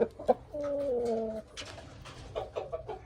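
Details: Aseel rooster aged six months delivers a brief, nearly one-second crow that steps down in pitch midway, framed by sharp knocks and soft scraping noises.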